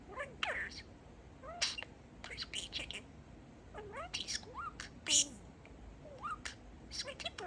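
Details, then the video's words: Male pet budgie talking, chatting and reciting a changed version of his favorite phrase 'Peeka-boo' as 'Peek-e-boo'; high raspy speech-like bursts, quick upward chirps and hissy syllables, with a louder scratchy note near the end. "Talking Parakeet"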